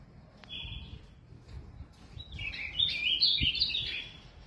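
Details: Caged Ultramarine Grosbeak (azulão) from São Paulo, Brazil: a short clear whistle, a pause, then a rapid, tumbling run of high warbled notes, over soft low background noise.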